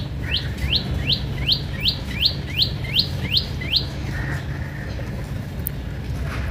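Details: House sparrows fighting angrily with each other: a fast run of about ten sharp, rising chirps, roughly three per second, over steady low rumbling background noise.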